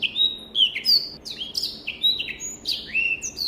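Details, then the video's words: Black-throated canary song recorded cleanly as training material: sweet whistled phrases, mostly falling slurs with a few upward sweeps, in a brisk unbroken stream. "SOUND of BIRD BLACKTHROAT || FINCH SINGING || MASTERAN BLACKTHROAT"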